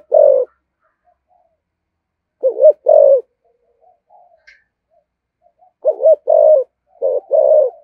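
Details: Spotted dove, 'giọng thổ' style 'thúc gù' coo: a single low coo, a pause, then pairs of hollow, slightly wavering coos, the short note leading into a fuller one, with quiet gaps between phrases.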